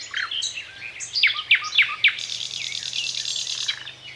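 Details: Thrush nightingale in song: a few varied chirps, then four loud down-slurred whistles in even succession, followed by a long hissing, buzzy trill.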